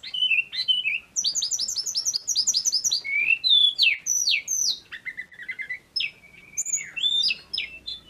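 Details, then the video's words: Lively male pygmy cupwing song: rapid repeated chirps at high pitch, then rising and falling whistles and slurred notes in quick succession, clean background. "BURUNG SEKECIL INI KALO SUDAH GACOR...TLEDEKAN GUNUNG JANTAN FULL SENYUM"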